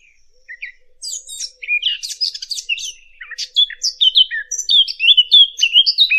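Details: Fig bird song for hunting: a few soft chirps, then a fast, busy run of high twittering and scratchy notes, followed by loud, varied whistled phrases that build in strength toward the end.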